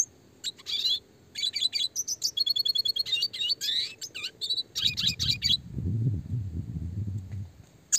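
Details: Classic red siskin song, clear and fast with tight rolling phrases for songbird training: nearly continuous high twittering, trills and buzzy rising notes for about six seconds, with a low rumble in the background midway.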